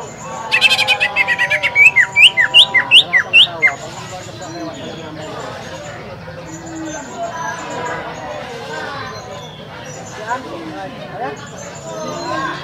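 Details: Green leafbird used as a provoking song for other birds, recorded at a bird practice contest at Lapangan Semparuk; loud rapid run of sharp, high whistled notes for about three seconds, then crowd chatter and voices.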